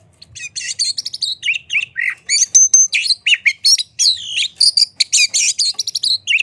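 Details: Lure song of a white-rumped shama meant to stir other shamas to sing, dense and varied, mixing sweeping whistles, rattling chatter and clipped notes in quick succession.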